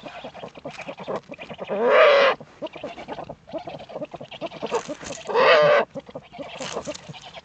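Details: Common moorhen in the Eifel, Germany, at night (22:29, 13 April 2014), giving two loud, harsh croaking calls about three seconds apart, over a busy background of fainter chatter and noise.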